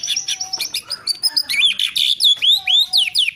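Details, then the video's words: White-rumped shama giving bright, high whistled phrases, with looping upward and downward sweeps repeated about twice a second and a soft low tone underneath. "Lagu & Gaya Keren Murai Batu"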